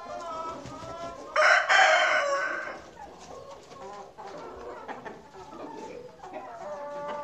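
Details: Farm rooster crowing once, loud and rasping, for about one and a half seconds. Softer clucks and low chatter from other chickens fill the rest of the recording.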